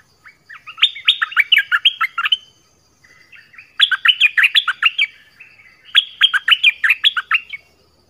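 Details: Nok dok taeng 'phleng boen' song, used for young birds to copy and to excite wild birds: three rapid phrases of crisp, descending chirps, each lasting about one and a half seconds, in a clean recording.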